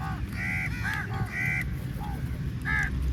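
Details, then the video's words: Crows in a big flock at feeding time, attacking the food: a quick run of loud, raspy caws, some paired, then a short pause and a final caw, over low background rumble. "Very Large Number Of Crows Attack On The Food | Crow Feed Time | Crow Sounds Very Loudly"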